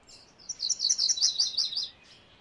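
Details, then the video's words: MacGillivray's warbler song: one rapid run of about a dozen bright, slightly buzzy chipping notes, high-pitched and evenly spaced, lasting just over a second, with faint distant bird whistles before and after. "MacGillivray's Warbler Song ! MacGillivray's Warbler Sounds ! MacGillivray's Warbler Call"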